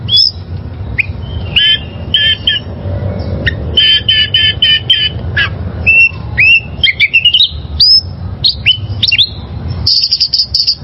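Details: Song of a wild oriental magpie-robin: clear whistled phrases alternate with rapid trills, upward-sweeping notes and a few harsh, buzzy squawks near the end, delivered in energetic bursts above a steady low background rumble.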